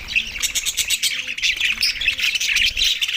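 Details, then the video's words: A group of budgies chirps while eating soft food on December 4, 2023. They give rapid, pulsing chatter of high squeaky notes, about two to three bursts each second, over faint low tones. "Australian Budgies food 🥝 Soft food best chirping sound"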